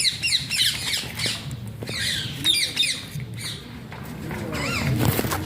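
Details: A talking Alexandrine (ringneck) parakeet gives rapid, harsh squawks and chattering notes, about three or four a second, ending with a rising whistle over a low background hum.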